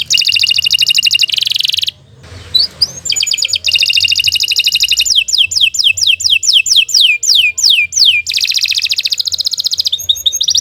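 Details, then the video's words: Canary song of dense buzzy trills, a short gap with soft rustling, then long rattling passages and a series of sharply falling whistled notes, followed by more buzzing trills; continuous and loud. "Kicau Burung Kenari II GACOR PANJANG"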